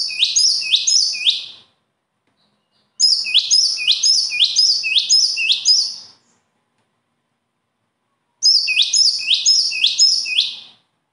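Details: Three bursts of high, piercing bird song separated by pauses of one to two seconds; each burst is a rapid train of identical upswept notes, the middle one longest at about six notes.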